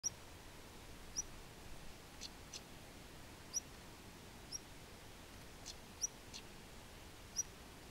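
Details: A European stonechat on the Isle of Wight gives thin, high whistled notes spaced a second or two apart, mixed with a few sharp clicking 'tak' sounds, over steady background hiss.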